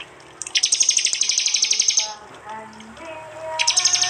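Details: Prinia from East Java, phone-recorded for a training track: a sustained fast rattling trill of high notes lasting about a second and a half, a quieter gap with low tonal sounds, then the trill resumes.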